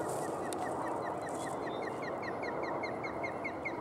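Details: Osprey at Barr Lake in Brighton, Colorado: after a noisy start, a steady run of short, clipped, whistled chirps, each slightly down-slurred, repeated several times a second, over constant broad rumbling background noise.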